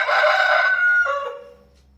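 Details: Rooster crow, loud and harsh, held for about a second, then dropping into a lower trailing note that fades away.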